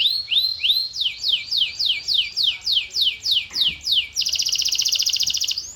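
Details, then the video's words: Canary song: a long series of repeated downward-slurred whistles, roughly three per second, switching abruptly into a dense, fast buzzy trill. "The Ultimate Canary Bird Attraction!"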